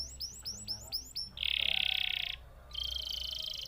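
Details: Canary repeating bright upslurred notes in quick succession, then switching to a loud buzzy roll, a short pause, and a second, higher rattling roll.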